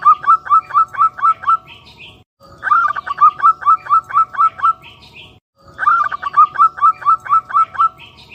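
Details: Zebra dove repeating its song three times: each phrase a rapid, even string of staccato cooing notes on one low pitch, about seven to nine per phrase, separated by short pauses, with faint higher chirps behind.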